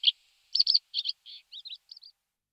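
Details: Thekla's lark delivering a short series of clipped, chirping notes: a sharp opening note, then paired bursts and softer, fading twitters over two seconds, with nothing else audible.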